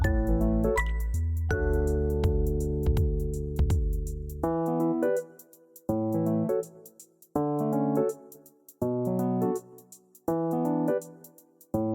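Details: Only keyboard music is heard, with repeated synthesizer chords and no animal sounds. A sustained chord opens, followed by short rhythmic bursts of notes.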